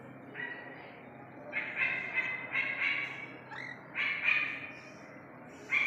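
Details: Young Iranian partridge giving clustered harsh, buzzy notes in short uneven bursts, with a brief rising squeak in the middle and a final loud note, over faint background noise.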